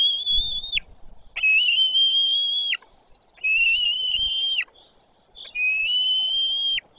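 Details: At a white-tailed eagle nest in Bory Tucholskie, Poland, where the younger chick does not react to an adult's arrival, four long, thin, steady high whistles, each dipping slightly at the end, about two seconds apart over faint hiss.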